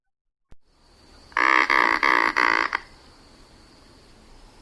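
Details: Anhinga (Anhinga anhinga) giving a harsh, grating rattle of four quick clicking bursts over about a second and a half, against a faint steady hiss.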